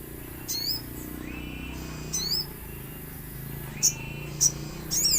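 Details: Common iora song used as a lure to make other birds answer, set against nature sounds: short, high, whistled upslurred notes in scattered bursts every one to two seconds over a steady background hiss.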